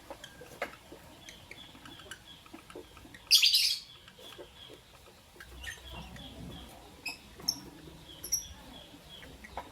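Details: Lovebirds, albino and Euwing green opaline, in the morning: one loud, harsh, shrill burst of chirping in the middle, followed by scattered brief high-pitched chirps and soft taps in a quiet room.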